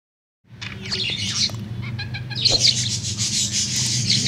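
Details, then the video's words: Tame budgerigar singing in the late afternoon: dense, scratchy warbling chatter of rapid high chirps and squeaky notes, with a steady low hum underneath. "SUARA PARKIT"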